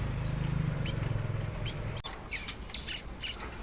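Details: Crimson sunbird in song and display dance, uttering clusters of thin, very high sharp chirps and squeaky trilled notes, with a low hum in the first half.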